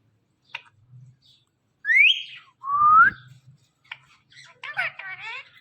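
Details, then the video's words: Pet parrot giving two loud whistles, the first sweeping upward, the second a slower rising slur, followed by harsh rasping chatter and a few clicks in a quiet room. "parrot talking || talking parrot"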